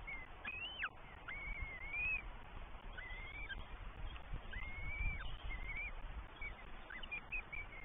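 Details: Begging Northern goshawk chicks at a New Forest nest, 20 May 2023, three young fed by the female and then the male; repeated high, squealing whistles, each a few seconds apart, some ending in sharp downward drops, over low rumble.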